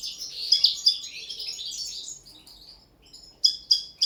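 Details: Common linnet at its first table-singing training, pouring out a quick twittering phrase with bright accented chirps, then falling quiet before three crisp separate notes near the end.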